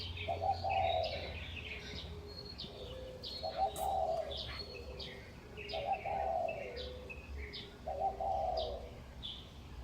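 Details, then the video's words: At Huanan New Village, Taipei, around 5:25 am in May 2019, birds sing from utility poles: a soft, low cooing phrase returns roughly every two seconds while several other birds give rapid, high twittering chirps. "化南新村 鳥叫起床 請帶耳機身歷其境 台北市最強鳥叫社區 sounds of birds"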